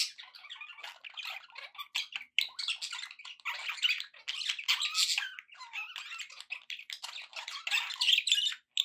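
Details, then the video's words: Steady chatter from happy pet budgerigars: dense, scratchy warbling of quick clicks, squeaks and buzzy notes running throughout. "happy budgie sounds"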